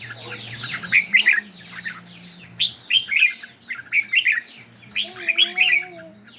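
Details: Contest song of the red-whiskered bulbul, which fans its tail: clusters of rich, slurred whistled phrases every second or so, a thin steady high tone and a soft low hum beneath.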